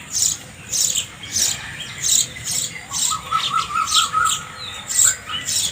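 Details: Sparrow chirping steadily: sharp, bright chirps repeated about twice a second in a loose rhythm, with a faint, thin, level whistle running beneath the middle section.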